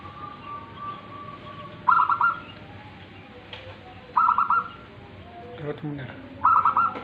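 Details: Tame local zebra dove (perkutut) singing: three short bursts of rapid, stuttering coos at mid pitch, spaced a little over two seconds apart, with quiet background hiss and faint low sounds between the phrases.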